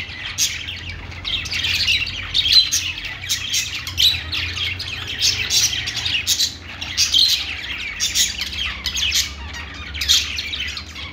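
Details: Budgerigars in a pet store, many chirping at once in a dense, continuous chatter of high, scratchy twitters and short squawks, with a steady low hum underneath.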